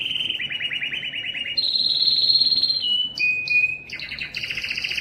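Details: Singing yellow canary: a quick run of repeated descending pulsed notes, then a sustained high whistled trill, a short lower whistle, and rapid alternating high notes jumping between pitches.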